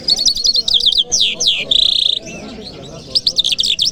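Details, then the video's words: Singing lark from Kabul on a Friday morning delivers a rapid, varied string of chirps, downslurred whistles and a sustained buzzy note, then more quick stuttering notes, with a quiet murmur behind. "Jal Birds Sounds | Lark Singing | جل مشهدي | طرقه | قزالاق | صدای جل مشهدي برای مست کردن"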